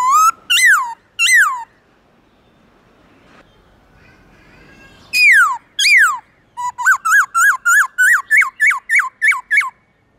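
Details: Morning forest-voice song of a black-throated laughingthrush. Two pairs of loud down-slurred whistles are separated by a quiet gap with faint background noise, then comes a quick run of about a dozen short looping whistled notes.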